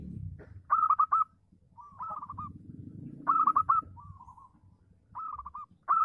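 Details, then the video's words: A local zebra dove in full song, meant to draw other zebra doves into calling back. Rhythmic groups of four to five fast, stuttering coos alternate with softer, lower trills, over steady low-pitched background rumble. "SUARA BURUNG PERKUTUT LOKAL GACOR AHLI NYA AHLI MEMANCING LAWAN BUNYI"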